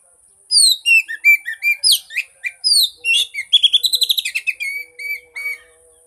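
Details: Oriental magpie-robin song played to get a silent bird singing: rich sequence of slurred whistles and downward-sweeping notes, a rapid rattle of clipped chirps, then sparse thin whistles.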